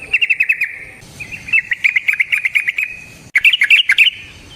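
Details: Trucukan, the yellow-vented bulbul, singing a long rolling ropel panjang in natural wild style as a lure for other bulbuls; fast trilling chatter, a pause, then a second burst of bright bubbling notes.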